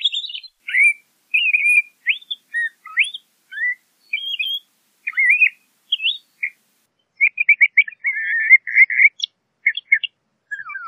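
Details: LeConte's thrasher song with many distinct short phrases, rising and falling whistles, a pause, then a rapid stuttering series and a final descending note.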